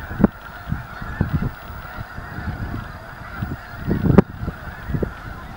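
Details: Steady massed honking from a big snow goose flock at Anahuac National Wildlife Refuge, where ducks are also present. Countless overlapping nasal calls blur into a constant drone, broken by low wind buffeting and two sharp knocks.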